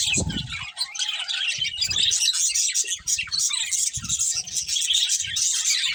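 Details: Colourful budgerigars chirping as they eat, a steady wash of high warbled twitters and scratchy chirps from several birds, broken by soft low knocks and rustles.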